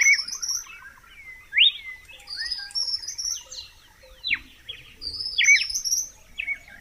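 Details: A red-cowled cardinal sings in a clean, unaltered recording: slurred whistled notes rising and falling in quick groups, amid a chorus of high chirps and a steady soft ticking from other birds.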